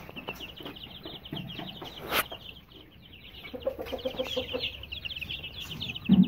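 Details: Aseel chicks, some 20 days to 2.5 months old, chirp in continuous high peeping. Sharp clicks, scuffs and a short low sound near the end are also heard.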